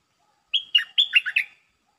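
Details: A caged decoy Red-breasted parakeet calls down a territorial wild bird: a rapid phrase of about six whistled notes, starting with a level high tone and followed by quick dipping, chattering notes, in a clean background.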